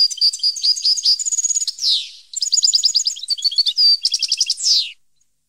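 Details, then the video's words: Song of a European goldfinch recorded in 2015: fast liquid twitters and trills in two bursts, each closing with a harsh descending buzz, with a short pause between them. "Goldfinch song 2015/ Canto Jilguero Parva 2015"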